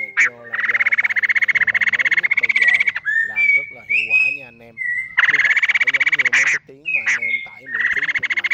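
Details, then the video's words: Male and female laughingthrushes (Khướu Ngực Hồng), calling the flock as a lure recording for trapping, give harsh, rapid, buzzy chattering bursts of two to three seconds, broken by short clear whistled and slurred notes. "Tiếng Khướu Ngực Hồng Trống Mái Gọi Bầy"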